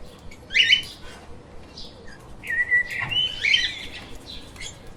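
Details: Lovebirds kept as pets giving short shrill chirps, first a bright burst, then a longer wavering buzzy phrase of squeaky notes after a brief pause.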